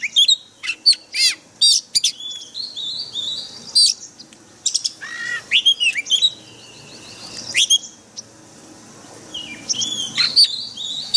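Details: Training recording of an Oriental magpie-robin's forest-style song for caged birds, heard daily; rich sequence of sharp whistles, descending slurs and quick chatter, with quieter pauses between phrase groups.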